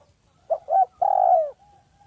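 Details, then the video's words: Spotted dove (local village dove), kept as a lure bird for its vocal, smooth, clear voice, gives two soft, low coos and then a longer smooth note sliding downward at the end, in a quiet setting. "Dekukur kampung yang gacor || SUARA HALUS DAN JERNIH"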